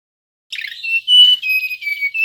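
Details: Male mangrove whistler song used as a lure: a brief burst of rapid jumbled notes, then clear sustained whistles held steady, each slightly lower than the one before, with a final rise, in a clean quiet background.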